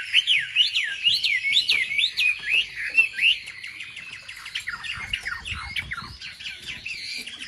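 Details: Wambi singing as a lure to rouse other wambi birds: a quick series of bright, rising whistled notes, then softer jumbled twitters and chips with a faint background rumble.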